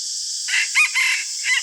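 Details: Decoy red junglefowl at dawn-time luring session gives a single clipped crow of four syllables, about one second long, loudest on the second syllable, heard through persistent heavy hiss.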